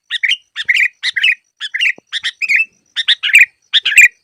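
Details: Sooty-headed bulbul song used to lure birds for trapping, a continuous series of bubbly two-part phrases, a chirp slurring into a warbled whistle, repeated roughly twice a second.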